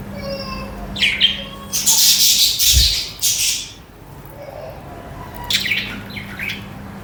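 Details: Pet budgerigars (parakeets) chirp and chatter: short high chirps in irregular bursts, broken by a loud second of broadband rustling or flapping, over a faint steady hum.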